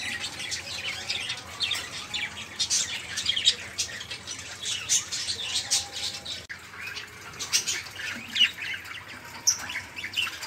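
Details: Budgerigars in a noisy caged group, kept to prompt other songbirds to sing, give dense overlapping chatter of scratchy warbles and squeaky chirps, continuous with many birds calling at once and faint fluttering.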